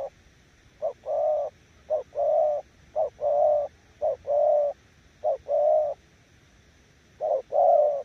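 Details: Decoy spotted dove giving 'gù' coos, pairs of a short clipped note and a longer rough low note, repeated about every second in a steady rhythm.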